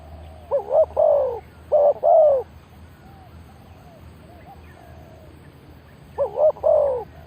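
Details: Spotted dove used as a decoy to lure wild birds, cooing in two groups of three low hooting notes, first near the start and again after a pause of about four seconds, with faint rural background.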